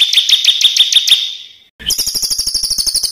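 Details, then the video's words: Songbird on a master recording for training competition birds: a steady series of clear high whistled notes, a short silence, then a very fast buzzy high-pitched trill. "SUARA BURUNG MASTERAN BURUNG LOMBA"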